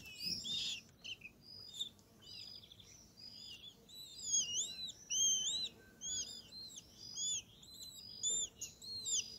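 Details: Family of great kiskadees feeding at a feeder in an acerola tree in Brazil; many overlapping high arched chirps and short squeaky notes, uneven and busy, with several birds calling at once over faint background noise.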